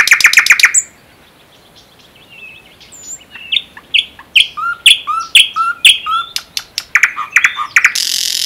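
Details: ['Song of a common nightingale recorded in the Unzha river floodplain and Kologrivsky Forest reserve, Russia: a loud rapid clicking rattle, a brief silence, soft whistles, then a series of repeated paired notes that speeds up.']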